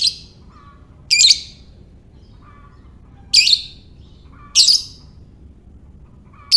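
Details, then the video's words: Lovebird used to lure others into calling: five piercing, screechy bursts over six and a half seconds, each short and abrupt, with faint soft twittering in the pauses over a steady low hiss. "Lovebird Ngekek"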